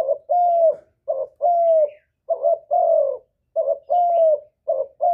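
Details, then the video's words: Spotted dove giving a stimulating call for other doves to coo along: rich low coos in pairs, a short note then a drawn-out falling one, about one pair a second, with faint high chirps. "Chim Cu Gáy Kích Nổi Cực Phê, Nghe là gáy theo liền"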